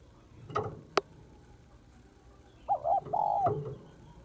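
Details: Two sharp knocks are heard, then a female spotted dove calling to stimulate males gives a short note and a longer hoot that falls at the end.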